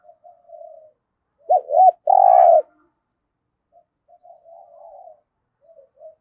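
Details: Spotted dove kept as a decoy for trapping, giving one loud phrase of two curled notes and a long even coo, framed by soft, muffled coos before and after.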